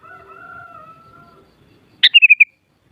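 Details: A single quick sooty-headed bulbul phrase, a sharp note followed by four rapid chirping whistles, comes after a long, steady, lower tonal whistle. Meant to stir bulbuls into answering song.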